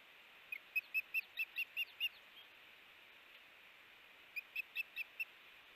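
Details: Osprey at a nest, 5 August 2018 at 7 am, the morning a chick fledged; two bursts of rapid high whistled chirps, seven then five notes, separated by a pause, over faint hiss.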